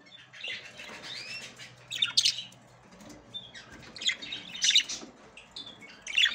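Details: Female budgerigar trying to get into the nest for the first time, ready to breed. A soft rising-falling whistle comes first, then loud grating chatter bursts near two, four and six seconds.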